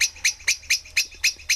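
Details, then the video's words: Adult common blackbirds in a barn give sharp, high 'chink' notes about four a second over a faint low hum in spring, as a fledgling sits on the floor with a little owl watching nearby. "And you can hear the blackbird adults."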